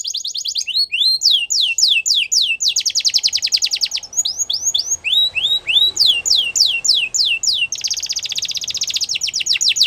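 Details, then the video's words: Canary singing a rapid varied song: repeated downward-sweeping whistled notes alternating with fast buzzy trills, phrases changing every second or two, high-pitched and continuous. "The Most Beautiful Canary Singing"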